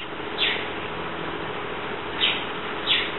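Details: Senegal coucal chicks in their first month of life, whose nest was destroyed when they were about three days old: three short, sharp high chirps, a single one and then a close pair near the end, over steady hiss.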